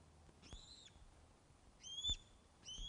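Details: At the Loch of the Lowes Osprey nest, Scotland, 21 August 2012, 16:35, during a fish delivery, webcam audio: three drawn-out, clear whistles, slightly rising then level, spaced about a second apart, with soft background noise.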